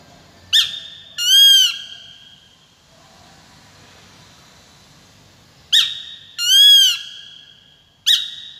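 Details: Calls of a peregrine falcon: a short sharp note followed by a long, bending, whining note, twice, with a quiet pause of several seconds between. A last sharp note ends the sequence. The background is otherwise still.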